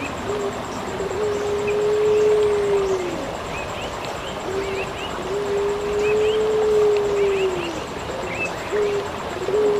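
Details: Eurasian collared dove (local name puter) in a masteran recording for training songbirds: long, steady low coos, each held about two seconds and sliding down at the end, repeated after short pauses, with faint higher chirps of other birds behind.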